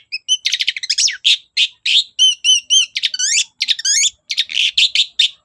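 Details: Long-tailed shrike in vigorous song, a lure for shrikes that will not sing: dense chatter of harsh notes mixed with clear rising and falling whistles, delivered almost without pause.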